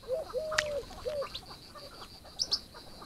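A few soft, low hooting coos from a wood pigeon. Brief high chirps from another bird come near the end over a thin, steady high hiss.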